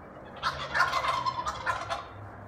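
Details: Wild turkeys calling: a loud, rapid, rattling gobble rolling out in several quick bursts over about two seconds, rising above a low steady hum of background noise.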